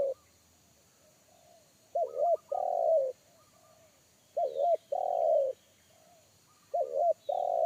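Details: Spotted dove in forest, wild bird with a deep bass 'kuk satu' voice that unsettled a trained lure dove; low phrases repeat roughly every two and a half seconds, each a quavering double note then a longer hooting coo.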